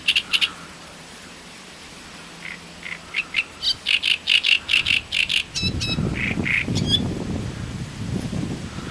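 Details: Great reed warbler singing near Voronezh, Russia, in 2012: a steady series of harsh grating syllables and clicks, followed by low rumbling background noise as the phrase ends.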